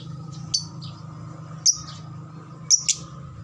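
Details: Lovebird, used as a lure to make other lovebirds respond with long chattering (ngekek): three short, high, thin chirps spaced about a second apart over a low steady hum.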